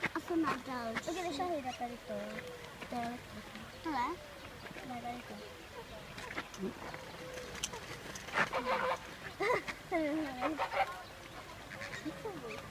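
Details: Captive flock of Chilean flamingos (Phoenicopterus chilensis) at Prague zoo gives a dense, overlapping chatter of nasal, goose-like honks and grunts, rising and falling without pause.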